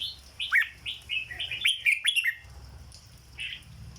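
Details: Caged red-whiskered bulbul giving a quick 'dok' style phrase of cheerful slurred whistles, loudest in the first half, followed by one softer note after a pause.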